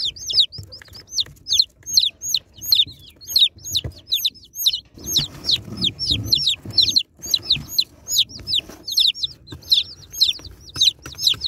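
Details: Baby chicks being unboxed, a crowd of them peeping nonstop: high, shrill, downward-curving peeps overlapping in quick succession throughout, with soft low rustling and handling noise underneath.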